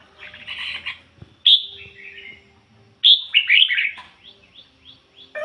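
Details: Caged decoy red-whiskered bulbul singing in the ngoi bổi style: two loud phrases, each opening with a sharp high whistle, then quick warbled notes dipping and rising, with faint chatter before.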